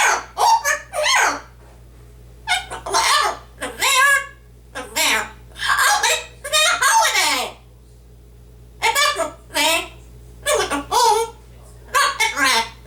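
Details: Yellow-naped amazon parrot kept as a pet, reciting lines from a Dr. Seuss book in a small room. Rapid humanlike spoken phrases come in clusters separated by short pauses, over a constant low electrical hum.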